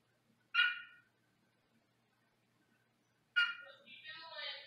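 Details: Caged male Senegal parrot indoors, recorded from another room: two harsh, rasping squawks about three seconds apart, the second running into a wavering, nasal chatter, over a quiet room background.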